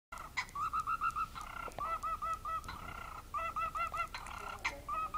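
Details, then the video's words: Parrot beatboxing: rapid rhythmic runs of short electronic-sounding beeps at a steady mid pitch, broken by clicks and brief whistled blips, with a constant hiss of background noise. "Beep boxing Parrot"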